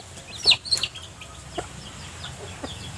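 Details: Hens foraging with their chicks in piles of vegetation litter, searching for earthworms; a few high, sharp chick peeps near the start, followed by faint scattered clucks over a soft background hiss.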